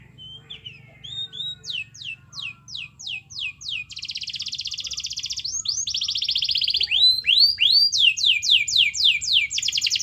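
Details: Canary in full song, played to stir a non-singing canary: quiet opening notes, a series of repeated downslurred whistles about four per second, a fast dense trill, then more rapid sweeping notes.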